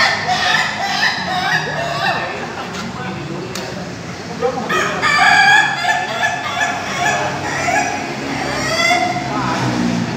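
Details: Ayam Ketawa roosters kept in cages at a Bogor joint practice event crow in bursts of quick, stuttering syllables. The loudest chain comes in the middle of the clip, and other birds crow in the background throughout.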